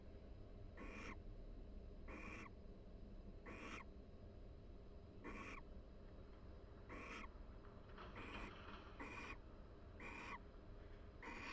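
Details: Barn owl pair in a nest box at the University of Florida, chatting quietly while preening each other in the breeding season; short hissy, breathy bursts repeat about every one and a half seconds over a steady low hum.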